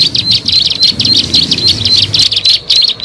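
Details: Bar-winged prinia lure recording: quick, piercing high chips strung together in an energetic, irregular series that pauses briefly near the end, with a soft low hum underneath.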